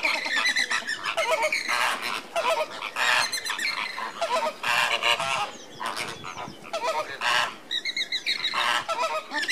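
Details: Andean flamingo flock during display on 29 April 2014: dense chorus of overlapping nasal honks and grunting calls, continuous and busy throughout.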